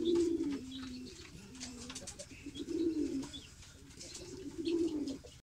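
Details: A fancy Sirazi pigeon coos in deep, rolling phrases, rising and falling. The phrases repeat in bursts against steady broadband noise and faint higher chirps.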